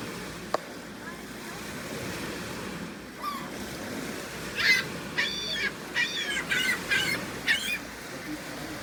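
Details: Seagulls calling, a run of harsh, nasal, stacked calls repeated in quick succession midway through, over steady low background rumble and a single sharp knock near the start.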